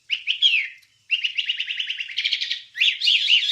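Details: Wambie master song for training songbirds: a few sharp chirps, a pause, then a fast rattling string of repeated notes and a final burst of high chattering.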